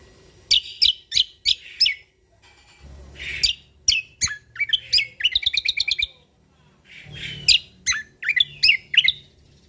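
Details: Cucak kombo, a Sumatran leafbird, in full lively song: bursts of crisp downslurred whistles, a fast rattling run of clipped notes midway, a short pause, then more quick chirps and twisting phrases, with soft low background murmur.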